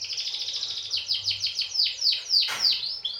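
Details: Canary singing, recorded to prompt other canaries to sing: a fast rolling trill of repeated descending notes, slowing into longer downward-sweeping whistles, with one loud sharp note near the end.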